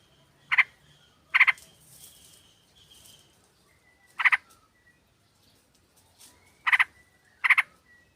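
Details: Sooty-headed bulbul lure, a female calling a male: five sharp, loud chattering bursts spaced irregularly, with faint thin whistles and soft background calls between them.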